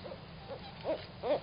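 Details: A young owlet calling for its mother at 7:49 PM on March 16, 2019 gives four soft, low, hollow hoots, spaced irregularly and growing slightly louder, over a faint background hum.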